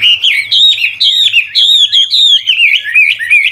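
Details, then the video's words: Old wild Chinese hwamei singing continuous varied phrases to encourage young birds; loud fluid whistled warbling, looping up and down in quick linked phrases, faint low hum beneath. "Tiếng chim họa mi mồi già rừng hót luyến láy đảo giọng liên tục, giúp kích chim bổi nhanh hót"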